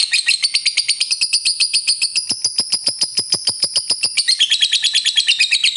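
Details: Lovebird in a long ngekek song used to provoke other lovebirds, a continuous high chattering trill with rapid pulses, shifting slightly lower in pitch toward the end, no other sounds.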